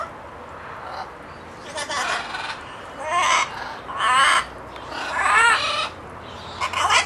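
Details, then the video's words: Loud, rough, voice-like phrases from a talkative parrot, several long raspy bursts with wavering tones running close together, the last cut off sharply. "Talkative Parrot (Makes murloc sound near end)"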